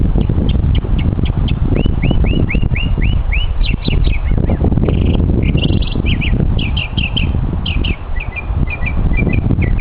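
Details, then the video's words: Mockingbird on a hiking trip showing off its voice, delivering series of repeated phrases—short chips, then upslurred whistles five times, buzzy bursts and quick doubled notes—over low background rumble. "Mocking Bird"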